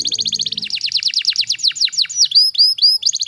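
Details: Canary tutor song in dense bursts: fast repeated downward-sweeping whistles, then three or four clear upward-curling notes and a final rapid trill; a soft low murmur at the start.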